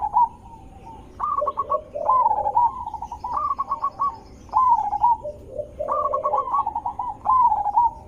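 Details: Zebra dove song for luring other zebra doves to reply: repeated bursts of quick staccato coos and low rolling trills, several phrases in a row.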